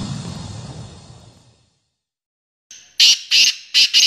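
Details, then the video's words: Black francolin, known locally as kala teetar, showcased for the speed of its call: after a stretch of low rumbling noise and a short silence, four loud, harsh, grating notes ring out in quick succession. "KALA TEETAR SPEEDER"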